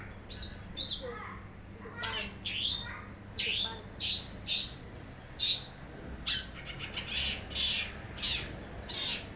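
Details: Wild long-tailed shrike song of high, squeaky chirps and short mimicked whistles grouped into repeated phrases about every second, sometimes doubled, over quiet background noise.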